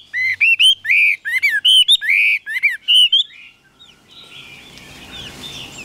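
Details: Chinese hwamei offered for sale as a caged songbird in Vietnam: a burst of loud, rich whistled phrases, each swooping up and down, delivered in quick succession for about three seconds, then quiet with faint background hiss.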